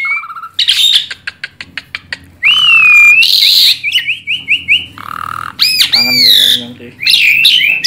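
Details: Asian pied starling, a tame bird used as a lure for young birds, delivering a series of clicks followed by long wavering whistles, harsh rasps and repeated short whistled notes, then looping high whistles.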